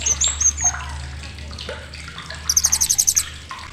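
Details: Blue-crowned hanging parrot giving a sharp chattering call, used as a tutor recording for songbirds: a fast, very high buzzy trill of about ten pulses near the end, over a busy background of other chirping birds and a low hum.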